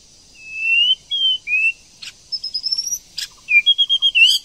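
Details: A female White-rumped shama sings to provoke a male. Thin, high, drawn-out whistles rise gently, with a few clicks between them, then a quick stutter of short high notes.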